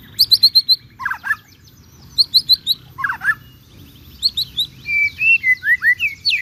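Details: White-rumped shama singing hard, meant as a lure for birds in training: rapid series of high sharp notes alternate with lower warbled phrases, building into a long stream of looping whistles.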